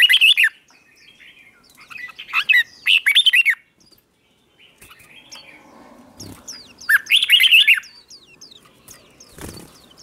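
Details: Red-whiskered bulbul, a wild-caught bird being trained, morning song for contest singing: several bursts of lively warbled, curling notes separated by pauses, with scattered high chirps and a brief thump.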